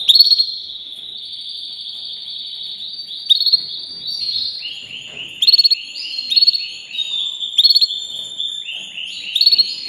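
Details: Long unbroken canary song: rolling, slightly buzzy warbles with frequent short rattling trills and faint high thin notes above.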